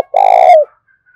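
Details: Decoy spotted dove calling vigorously to lure wild doves: a single long, low, hoarse coo with a slight tremor, ending in a soft downward fall. The surroundings are quiet.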